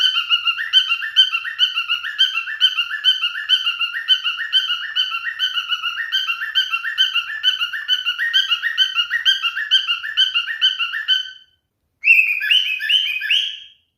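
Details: Singing male cockatiel courting a female: long, fast, even series of chirped warbling phrases repeated over eleven seconds, a short pause, then a higher, louder burst of the same chatter.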